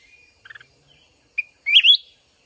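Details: Mountain red-whiskered bulbul in a trap-fighting contest with a decoy: a short burst of rapid pulsed notes, a single clipped note, then one loud, wavering, rising warbled phrase.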